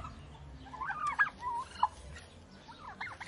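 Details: A real turkey outdoors gives a loud, rapid, gurgling gobble that rises and falls in quick rattling notes, followed by a second shorter burst a moment later.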